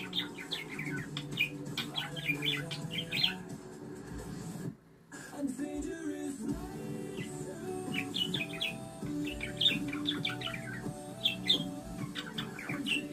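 A budgerigar warbles in quick, chattering bursts of high chirps and squeaks over a low steady background hum.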